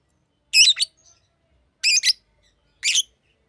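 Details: Three loud, raspy double chirps from a green lovebird, each a quick harsh burst about a second apart, over a silent background.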